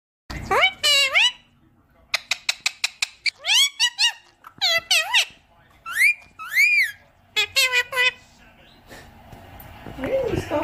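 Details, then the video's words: A pet talking Indian ringneck parakeet chatters indoors in bursts of squeaky, high, speech-like syllables with sharp rising and falling whistles over about ten seconds. "Indian Ringneck Parrot || Talking Parrot"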